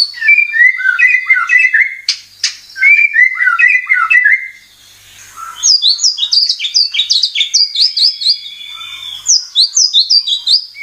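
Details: Lure song of the white-rumped shama (murai batu) for prompting birds to sing: busy warbled whistles and sharp clicks, a brief lull, then dense bursts of high, quickly repeated slurred notes.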